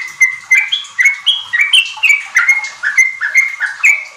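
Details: Sooty-headed bulbul in energetic, continuous 'riwik ropel' singing, used as a lure to get young group-kept birds singing: a rapid run of clear, fluty whistled notes at about two per second, each slurring up or down, with no other sounds.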